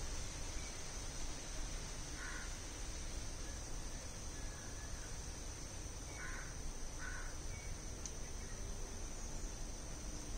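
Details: Harsh, hoarse squawks of a Malabar grey hornbill: one note, a pause of several seconds, then two quick notes close together, with constant shrill insect drone and a few thin whistles behind.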